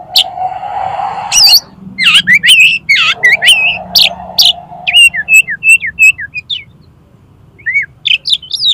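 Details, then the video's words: Oriental magpie-robin singing konslet style to make another magpie-robin spread its tail: fast jumbled chirps, then a string of repeated whistled notes, a pause, and more high twittering, with a steady low tone underneath. "BIKIN KACER MAU BUKA EKOR PAKAI SUARA KACER KONSLET INI"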